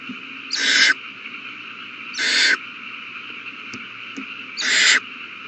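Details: Owl babies taking a big meal on March 27, 2020; three drawn-out, rough, hissing screeches, each close to half a second, come about two seconds apart over a low constant hum and a few small clicks.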